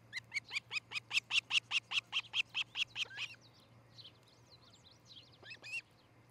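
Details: Osprey from a breeding pair at a Charlo, Montana nest, recorded by camera around 6 a.m. on 13 July 2018, delivers a steady, rapid series of sharp whistled chirps, then softer scattered notes and one last squeal; a low steady hum continues underneath.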